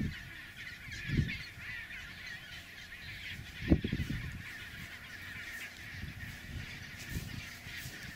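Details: Chinstrap penguins travelling along a trodden snow path between the sea and their nesting colony; two short harsh honking calls stand out over a steady background of distant colony chatter and low rumbling.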